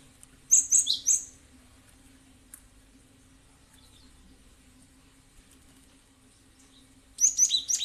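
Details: Cinereous tit, called gelatik batu, as a lure sound: two rapid bursts of high chirping notes roughly six seconds apart, with near silence between.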